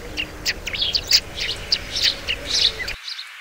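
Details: Sparrow chattering: a busy, overlapping stream of high, slightly harsh chirps, dense and irregular, with low background rumble and a faint hum.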